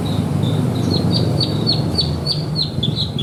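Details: Branjangan, the Javan bush lark, a contest bird with a song full of learned 'isian' material: a brisk repeated series of short, slightly downslurred chirps at a steady pitch, set against constant low hum.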